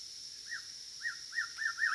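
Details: White-rumped shama singing: five clear arched whistled notes, spaced about a third of a second apart, rising and falling, growing slightly louder, over a steady high-pitched hiss in the background.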